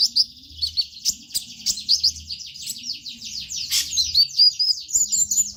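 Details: Lure song of a sunbird for getting stalled birds singing: a dense, shimmering run of very high, fast slurred notes running almost without a break, with a few sharp clicks.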